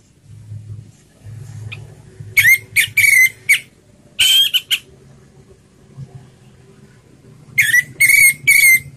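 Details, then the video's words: Orange-headed thrush song in the slow ngeplong style: short bursts of three or four whistled notes, then a single higher whistle, then another burst after a pause of several seconds, over a steady low hum. "Suara Anis Merah Ngeplong Slow"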